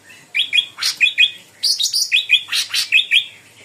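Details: Sooty-headed bulbul song used as a lure to trigger singing: quick bright chirpy notes in short paired phrases, sweeping upward with sharp high strokes, repeated steadily through the phrase.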